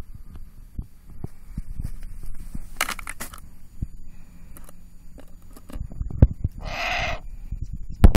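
A Eurasian eagle-owl gives one harsh, rasping, bleat-like screech near the end, among low knocks and thumps of handling noise.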